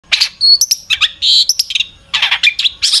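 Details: Long-tailed shrike in active full song packed with varied fill phrases, used as a lure to prompt other shrikes to sing: dense bursts of sharp chirps, trills and high whistled notes, with a brief clear rising whistle near the middle.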